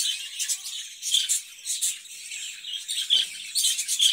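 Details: Budgerigar in a cage, softer rippling chatter with scattered high chirps and a few clear whistled peeps, swelling louder toward the end.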